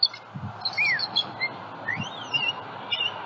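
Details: Bald eagle nest in Southwest Florida, February 27, 2020 morning, recorded by a live nest camera while a juvenile flies over; scattered thin, high slurred whistles, some rising then falling, over a soft low background.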